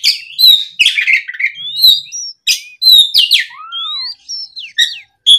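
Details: Afternoon lure song of an oriental magpie-robin, sung gacor ngeplong to coax other magpie-robins into replying: varied clear whistles, upslurs and chattering bursts in quick succession, one low downslurred note near the end.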